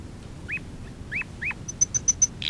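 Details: Tutoring recording for young canaries: three hooked upslurred chirps spaced apart, followed by five bright high pips in steady succession, with faint low hum beneath.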